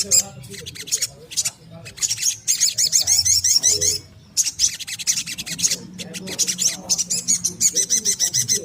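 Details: Persistent little spiderhunter song meant to lure birds and prompt them to sing: bursts of shrill, high-pitched chips repeated rapidly, interrupted by short silences, with faint lower twitters and a low hum underneath.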